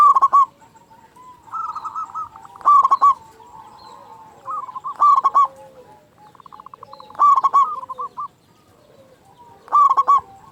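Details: Zebra dove of a local strain, a frequent caller with a loud voice, played to stir silent caged doves. Strong clipped pulse-groups come roughly every two to three seconds, separated by quieter trilled cooing from further doves.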